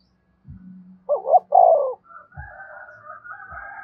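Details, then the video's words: Spotted dove giving a calling coo to lure other doves. There is one low phrase of short notes and a drawn-out coo, with soft thumps and a thin, higher, wavering tone afterward. "cu gáy thúc bổi và gáy gọi cực đỉnh, tiếng chim cu gáy hay và nhạy bổi"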